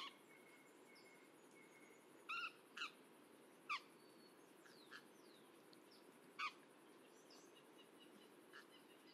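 Indigo-winged Parrot giving about five short, sharp, ringing calls at uneven intervals, one a quick double note, over a steady high insect hiss and faint distant birds.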